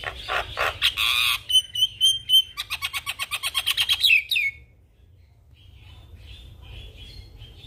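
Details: Jalak kebo, the Javan myna, in energetic full-isian song: harsh grating notes, then a quick series of clear whistles, then a fast stuttering chatter of about a dozen clipped notes ending in a slurred whistle, followed by faint distant twitters.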